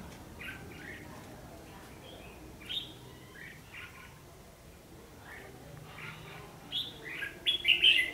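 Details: Red-whiskered bulbul fighting song serving as a trapping lure, 14 December 2015; widely spaced short whistled notes, then a louder run of quick warbling phrases toward the end.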